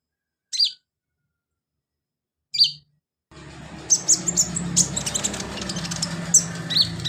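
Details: Sunbird song used as filler for training birds: two isolated sharp, very high chirps, then a stretch of high twittering notes partly buried under steady broadband background noise.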